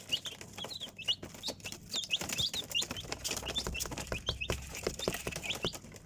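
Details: Several chicks giving shrill, rapid peeps that rise and dip, calling almost continuously over light scratching and rustling.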